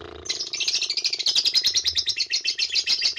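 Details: Lovebird ngekek chatter for provoking other lovebirds to sing: after a brief low sound, a dense, shrill, rapid burst of buzzy notes runs steadily, pulsing several times a second.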